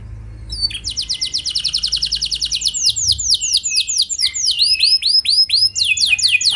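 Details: Canary lure song for getting other canaries to sing: after a faint low hum, a fast roll of falling notes begins, shifting into broader, looping sweeps repeated several times per second.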